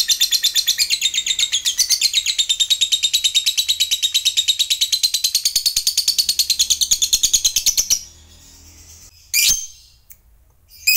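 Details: A fighter-type lovebird, used as a lure to get silent lovebirds singing again, gives its prized long "ngekek" chatter: a long, rapid stream of high, shrill chattering notes that ends abruptly.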